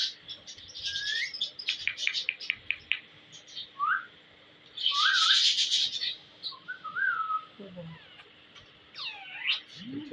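A pet ring-necked parakeet chatters in a jumble of sharp whistles, chirps and rising and falling syllables, with a bright burst of talking-like squawks midway.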